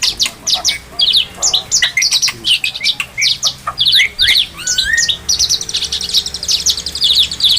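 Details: Song of an oriental magpie-robin (kacer) used for bird training: choppy bursts of sharp chirps and short squeaky phrases, with a low sliding whistle, then a sustained high trill near the end.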